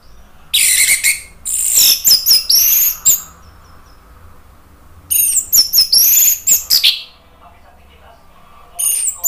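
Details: Lure recording of an Orange-headed thrush, meant to push a bird into song: very high, sharp whistled phrases in rich bursts a few seconds apart, with quiet gaps between them.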